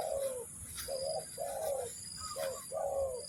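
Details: Spotted dove cooing, used to lure birds for trapping: soft husky coos in pairs of short and longer notes, gently falling, over a constant high insect drone and a faint chirp.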